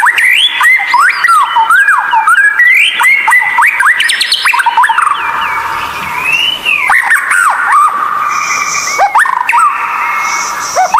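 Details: Unusual White-rumped shama song played to train captive birds: rapid, varied whistled phrases with many downward-hooked notes, a long sliding whistle in the middle and sudden cuts between passages.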